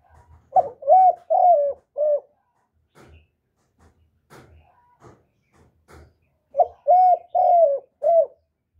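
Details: Spotted dove call for luring and stimulating decoy doves: two four-note cooing phrases about six seconds apart, each with deep hollow notes, the middle two long; soft knocks and taps fill the gap between.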